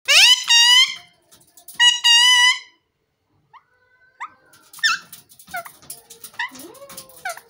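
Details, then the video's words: An Alexandrine parakeet (green parrot) gives two loud, harsh, drawn-out squawks, then a string of softer chirps, whistles and rising squeaks; parrot talking. "Green parrot sound|| Parrot talking"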